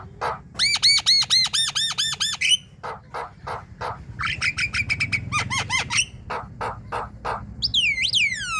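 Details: Javan myna in loud song meant to prompt other mynas to sing, with a rapid string of ringing arched whistles, a burst of scratchy chatter, and a final swooping whistle.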